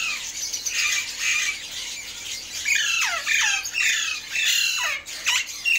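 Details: Alexandrine parakeets calling in the morning: a steady wash of harsh, overlapping squawks with loud downward-sweeping screeches, several birds at once, over a constant background hiss.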